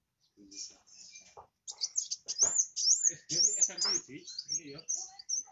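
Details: Sunbird known locally as kowul singing hard, used to spur other birds: soft scattered notes at first, then a sustained burst of very high, fast warbled chips over faint low knocks.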